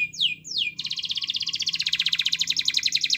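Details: Canary in song, played to provoke reluctant canaries: two quick descending swoops, then a long even trill of rapid high pulses lasting over two seconds.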